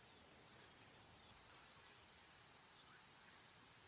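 Cedar waxwing giving thin, very high, hissing whistles, some drawn out for about half a second, over a faint steady hiss.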